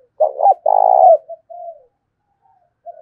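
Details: Decoy male spotted dove in the rustic style, challenging a rival to fight: a stuttered double note leading into a sustained, buzzy rolling coo that trails off in softer notes.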